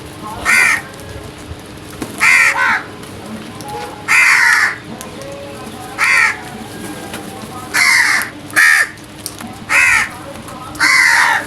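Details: Early-morning crows giving a steady series of about nine loud, raspy caws, roughly one every second or two, some paired closely, over low background hum.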